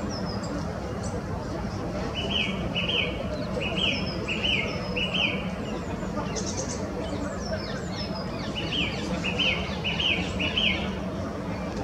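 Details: Song thrush in the Flower Walk, where two pairs defend territories with song: short, bright phrases, each repeated two or three times in quick succession, over a steady hum of distant traffic with high thin notes from other birds.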